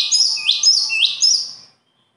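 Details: A short burst of bird song: three or four high whistled chirps, each sliding downward into an upturned hook, delivered quickly before fading out. A faint low tone lies underneath.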